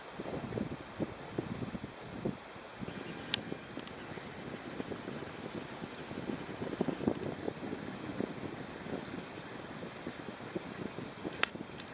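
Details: Steady wind rumble and low buffeting noise with faint clicks, and no animal calls.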